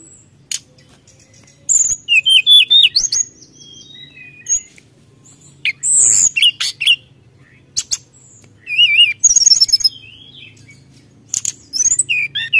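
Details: Brown-chested jungle flycatcher singing hard to provoke rivals: scattered bursts of varied high whistles, zigzag trills and sharp clicks separated by short pauses, with a faint low background hum.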